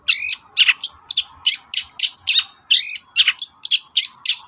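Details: Long-tailed shrike singing vigorously in the morning to stir other birds to answer. Quick harsh chatters alternate with clear, high, flat whistles in a busy, scratchy sequence.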